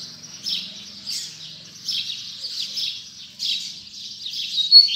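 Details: Coleiro, or Double-collared Seedeater, in the last 2019 singing session gives softer, smeared high warbled phrases, about one every second and a half, with a faint low buzz underneath.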